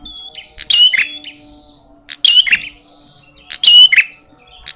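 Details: Aggressive red-headed prinia calling in fighting style: three loud, scratchy bursts mixed with high whistles, spaced about one and a half seconds apart, with soft whistled notes between them and a low steady hum.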